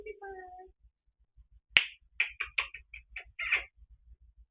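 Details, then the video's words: African grey parrot kept as a pet, making random sounds and talking to the television with no one home. A wavering tonal note is followed by a sharp click and a rapid run of short, clipped, chattering syllables. "Peter talking and making random sounds."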